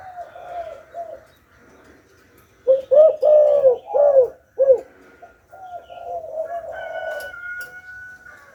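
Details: Spotted dove, a decoy bird, calling: a burst of four low, hollow coos in close succession mid-clip, framed by softer murmured cooing, with a faint steady whistle-like tone near the end.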